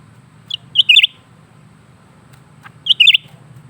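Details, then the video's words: Lesser green leafbird singing on and on, delivering a pair of identical bright phrases: a lone high pip, then a fast rolling triple chirp, separated by two seconds of near quiet. "burung cucak ranting gacor terus menerus"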